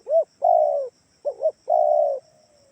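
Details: Spotted dove coo used to lure answering calls from doves kept at home: a short arched note, a long even coo, then a double-humped note and another long coo, with a thin trailing tone.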